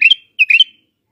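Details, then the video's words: Bulbul song from Iraq: two rapid phrases of clear, whistled, slightly slurred notes, the second phrase rising then falling, delivered loudly and closely with no other sounds. "تغريد بلابل العراق"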